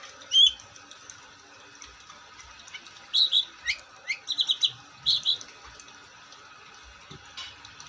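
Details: Long-tailed shrike singing: an opening whistled note, silence, then a cluster of short chirps and a rapid set of four quick repeated notes, followed by a few fainter scratchy sounds.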